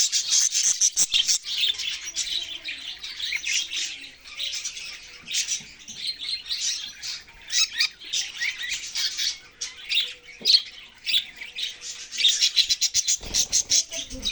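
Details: Budgerigars chirping at length: long stretches of rapid, scratchy high warbling and clicking chatter with short pauses, plus a brief low rustle near the end.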